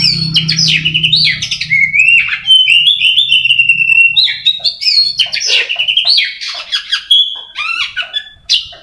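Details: Contest-trained Oriental magpie-robin singing a long varied song of clear sustained whistles, descending slurs and rasping, buzzy notes, with faint low hum at the start.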